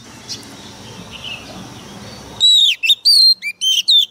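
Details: Oriental magpie-robin decoy bird, excited and singing fiercely: after a stretch of low background hiss, a sudden run of loud, bright whistled notes, some sliding downward, about five in under two seconds.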